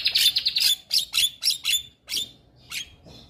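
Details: Male white-eyed Javan myna, played to prompt silent mynas to sing, delivering a bright buzzy high trill followed by a string of sharp, scratchy chirps that slow and fade out.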